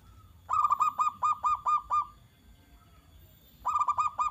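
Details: Zebra dove song played to prompt other doves to answer: a burst of about ten rapid, throaty cooing notes over two seconds, a pause, then a shorter run of similar notes.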